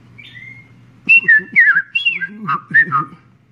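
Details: Red-crested cardinal, a regular visitor at a stay in Princeville, Kauai, Hawaii, in 2015, singing a quick run of clear whistled notes, each slurring downward, after a soft opening whistle, over a low background hum.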